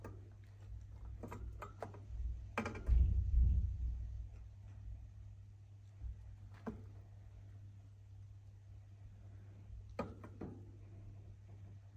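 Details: A low steady hum runs throughout, broken by a few sharp clicks and a soft thud. No birdsong or other animal call can be picked out.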